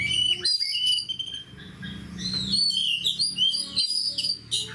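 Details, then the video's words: Fighting oriental magpie-robin giving fast whistled and chirping phrases, bright rising and falling notes packed closely, against a low droning background. "SUARA KACER GACOR DAN FIGHTER"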